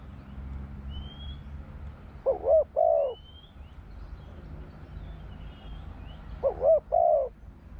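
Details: Spotted dove song, described in Thai as หลิวตัน ป่าร้อย: low, mellow coos of two or three hollow notes at the start and again near the end, with a quiet pause between them, over faint background hum and distant high chirps.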